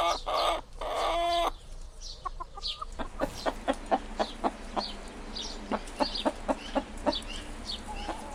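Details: Chicken: a loud harsh squawk with stacked harmonics lasting about a second and a half, then a run of sharp dry clicks and taps, with faint chirps in the background.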